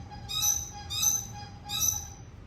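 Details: Red lory from Ambon uttering shrill, piercing screeches: three harsh, high, grating calls spaced roughly seven tenths of a second apart, over a steady low hum and a faint tone.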